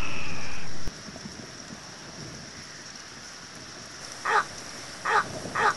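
A Little Egret gives three harsh, raspy croaks near the end, spaced under a second apart, over a steady low rumble after a brief loud burst of noise.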